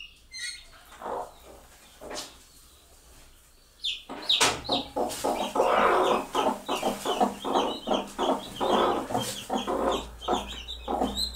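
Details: Two mother hens with their chicks give rapid, repeated low clucks, about three a second, calling the chicks on seeing food, with high peeping chicks and soft rustling behind.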